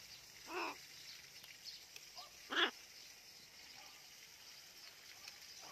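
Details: Talking blue-and-gold macaw having fun in a garden; two harsh, broadband squawks, about two seconds apart, with a softer short call between them over quiet background hiss.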